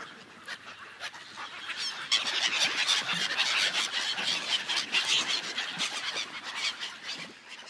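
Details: Gulls gathered on a frozen lake, calling together in a busy, overlapping din of shrill squeals and cries that swells after two seconds and stays thick, with rapid repeated notes before fading slightly toward the end.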